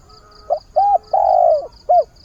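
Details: Decoy spotted dove cooing at the start of the day to find a mate: one complete low phrase of four notes, the third long and gently falling, over a faint hum and regular soft high ticks.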